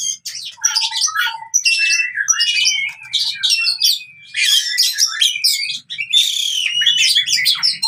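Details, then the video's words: Oriental magpie-robin fighting song for reviving a bird that stopped singing: choppy phrases of loud chirps and scratchy notes with brief gaps, mixed with long thin whistles and a few short low whistles. "KACER TARUNG COCOK UNTUK KACER MACET BUNYI"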